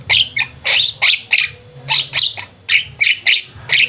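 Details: A flock of Javan mynas in full song gives loud, rasping, broadband notes roughly twice a second in an irregular rhythm, over a soft low drone.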